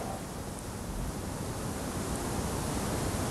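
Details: Steady broadband rushing noise like wind or surf throughout, with no animal calls heard.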